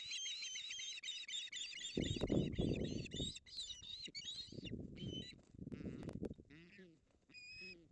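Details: Male and female Ospreys struggling over a fish at their nest in the Napiwodzko-Ramucka Forest, August 2021. Fast, steady run of piercing whistled chirps over loud low rumbling and scuffling, with later scattered squeals.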